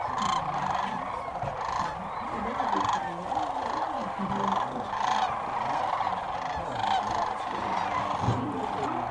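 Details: Hundreds of sandhill cranes gathered at dusk on the Platte River south of Alda, Nebraska, during spring migration keep up a constant chorus of rolling, trumpeting rattles, many birds calling over one another without pause.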